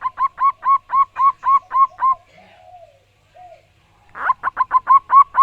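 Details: Loud, clear song of a local wild-type zebra dove. A steady run of about nine bright, curling coos is followed by a pause with faint low murmurs, then another rapid series of ringing notes.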